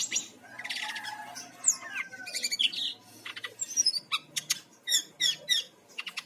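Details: Bali brown-chested jungle flycatcher singing, used as a lure for other birds: scratchy buzzy phrases, then a string of sharp high chips and slurred notes repeated in quick succession.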